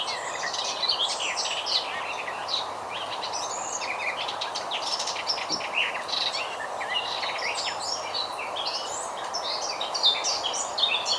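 A Garden Warbler sings a long, unbroken, rapid warble of mellow, chattering notes that flows on without pause, over a steady background hiss.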